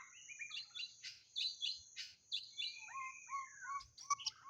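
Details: White-rumped shama kept as a lure for catching birds, sings a series of short whistled notes and upslurs followed by lower, clear fluty phrases, against a faint continuous high-pitched hum.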